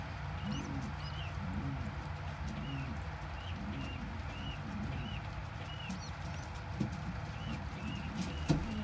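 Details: Kept pigeons, a tiny squab gulping regurgitated crop milk from a parent: short high rising-falling squeaks come in a steady series, with low rounded coo-like sounds and a steady low hum behind, and a sharp knock near the end.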